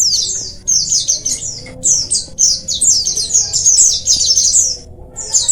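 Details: Colony of oriental white-eyes, sound used to stimulate lazy birds to sing: many thin, high, rapid twittering phrases overlapping almost continuously, with brief pauses, over a faint low hum.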